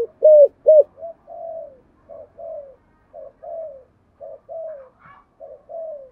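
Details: Decoy spotted dove calling in the 'thúc gù' cooing style with a deep 'giọng thổ' voice. Two loud, short hooting coos open, then a steady series of softer, slightly falling coos in pairs, with quiet gaps between.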